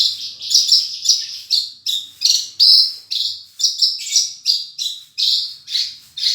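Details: Horsfield's bush lark singing full isian gacor: strong, high chirped notes repeated in a fast, uneven rhythm, each sharply struck and fading, over a faint low hum.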